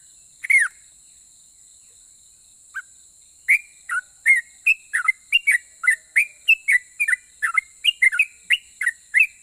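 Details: A sooty-headed bulbul in strong voice, claimed to set other bulbuls answering, opens with scattered single notes, then launches a brisk series of rising and falling whistled phrases, roughly two per second, over a constant high-pitched hiss.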